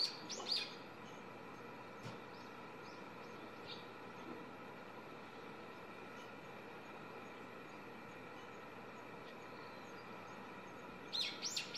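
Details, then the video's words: Young brown-eared bulbul singing from a power line about 6–7 m from a house, giving harsh, high screechy calls, one burst at the start and another at the end, over a steady hum from the camera or air conditioning. "ヒヨドリ / Hypsipetes amaurotis"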